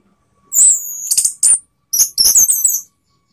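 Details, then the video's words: Orange-headed thrush singing to provoke rivals, a long high whistled note sliding downward followed by rapid, dense chattering phrases of bright high notes. "ANIS MERAH LAWAN ¦ PANCINGAN penuh TEMBAKAN ¦ KICAUAN Ngeplong"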